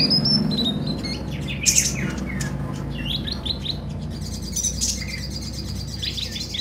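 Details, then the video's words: Brown-throated sunbird (konin) sound played as therapy to stimulate newly bought caged birds to sing: rapid high chirps and thin whistled notes, several varied phrases, over a steady low hum. "terapi ampuh buat konin biar gampang bunyi dan gacor"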